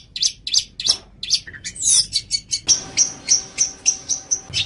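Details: Long-tailed shrike singing as a training recording for cage birds: harsh, scratchy chirps and a shrill squeal, then a steady series of thin, high ticking notes repeated at a quick, even pace.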